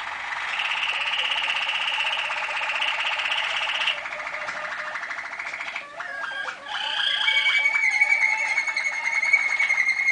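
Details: Malinois Waterslager canary singing, recorded in 2011: long sustained warbling rolls around the middle range, then a break into bubbling, water-like trills and clear whistled notes with a high steady tone toward the end.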